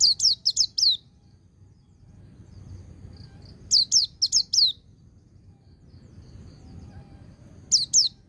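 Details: White-eye ngecir sambung ngalas song, meant to provoke silent birds to answer: a rapid string of five shrill falling chirps, a long pause, another burst of four, then two more notes.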